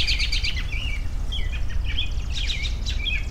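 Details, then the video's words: Quick high chirps followed by short whistled slurred notes, some rising and some falling, from birds over a steady low rumble. "10 Minutes of Bird Sounds for Relaxation"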